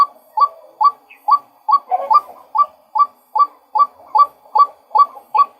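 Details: A male White-breasted waterhen delivers about thirteen abrupt, upslurred nasal notes, evenly paced near two per second, with a short scratchy cluster early on.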